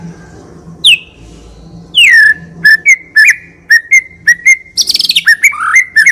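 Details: White-rumped shama in constant, energetic song, rich in varied fill phrases and long bursts, meant as a lure to get other shamas singing: loud whistles sweeping steeply downward, clipped repeated notes, a rapid trill, then buzzy, scratchy phrases over a faint low hum.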